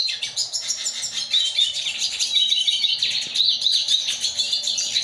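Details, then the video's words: A hybrid of a yellow-bellied siskin and a female red siskin sings a long, rapid twittering song of high chirps and buzzy trills, with thin whistled notes woven through and no pauses. "yellow bellied siskin x red siskin"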